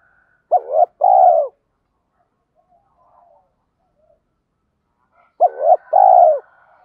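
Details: Spotted dove decoy cooing persistently to attract wild doves. Two identical phrases about five seconds apart, each a quick wavering note followed by a longer, falling, buzzy coo, with quiet between them.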